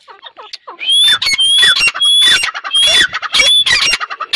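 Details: Breeding-season grey francolins, a pair, recorded in 2021, giving a rapid series of loud, harsh, ringing notes with shrill whistled overtones, repeated about twice a second after a few soft opening chirps.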